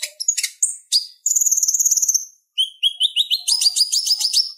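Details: Chattering song of a purple-throated sunbird (konin), used as tutor material for captive songbirds. Sharp high notes lead into a fast even trill, then a pause. Then come rising metallic chips that quicken toward the end.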